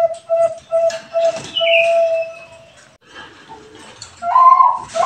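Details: Zebra dove of the Bangkok type singing, played as a lure to set off other doves. A few soft cooing notes and a drawn coo are followed by a higher descending whistle, quiet murmurs and a closing louder coo.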